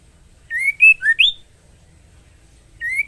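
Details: Female White-rumped shama in breeding condition calling the male: a rapid phrase of four clear whistles, rising, level, dipping and sharply upslurred, then a single rising note after a pause.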